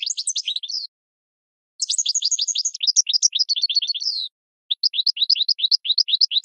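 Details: Goldfinch song used for training cage birds: rapid twittering bursts of short high chirps and slurred notes, with a brief pause near the first second and another before the fifth, against a silent background.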